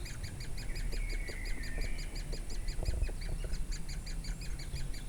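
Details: In Durmitor National Park, Montenegro, on 6 June 2017, woodpeckers feed their young. A fast, regular chatter of short bright notes runs throughout. A drawn-out whistle sounds early on, with a deep background rumble and faint ticking.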